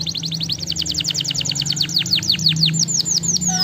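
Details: Singing canary used to prompt other canaries to sing, delivering a long fast series of repeated downward-sweeping whistles, a few each second, over a low background hum.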